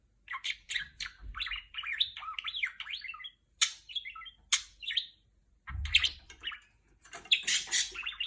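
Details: Female pet budgerigar talking and imitating R2-D2 sounds from Star Wars: rapid warbling, twittering phrases with sweeping high chirps in bursts and short pauses, plus a low thump near the middle.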